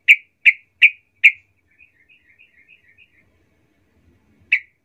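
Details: Lure song of a sooty-headed bulbul, played to provoke rival bulbuls: four loud clipped chirps, then a soft rapid twitter, a pause, and a single final chirp.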